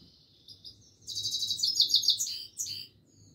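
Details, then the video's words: Himalayan goldfinch in continuous song, soft high notes building into a loud cascade of quick chirping twitters, then a closing flourish, with faint low hum in the background. "himaleyan goldfinch singing continuesly"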